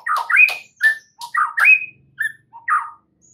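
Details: White-rumped shama singing varied fill phrases for a masteran recording: rapid warbled notes mixed with sharp ticking clicks, then a few spaced whistles and a falling warble.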